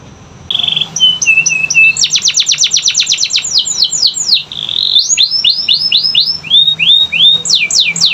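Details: Canary song meant to prompt silent, reluctant canaries into singing: a bright, high run of whistled sweeps and rapid trills, a buzzy opening note, then fast repeated downward-slurred notes about four per second, over a faint steady low hum.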